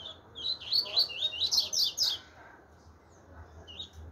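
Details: Chopi blackbird singing: a quick run of varied bright chirps and warbled notes over about two seconds, followed by a quieter pause with a few scattered notes near the end.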